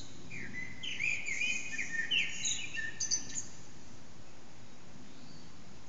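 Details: Eurasian blackbird in early morning song near 4:30am, hidden in an echoing backyard, HTC Desire recording: warbled whistles and squeaky high notes for about three seconds, then quiet hiss.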